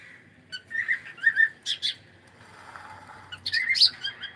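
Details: Cockatiel kept as a pet, heard on a live stream making a run of soft warbled chirps, then a louder shrill chirping burst near the end, with low indoor background noise throughout.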